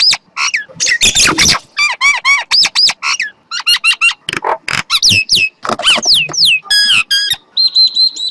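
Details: Varied common myna song mixing harsh rasping bursts, gurgles and rising or falling whistled notes, ending in a level, buzzy whistle held for about a second.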